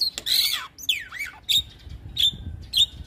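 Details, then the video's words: Javan myna song for luring other mynas to respond: a loud harsh rasp, then downward-sliding whistles and several short sharp high notes spaced about half a second apart. "Jalak kebo Gacor Full isian Bikin Jalak Kebo Pikatan cepat Respon"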